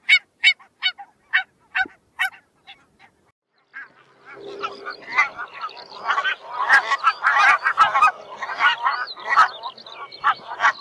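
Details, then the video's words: Barnacle geese give a series of clipped, evenly spaced barks. A dense, noisy flock chorus then swells in, with many overlapping yelps and honks building to a loud din. "Barnacle Goose Sound, Barnacle Goose Call and Song"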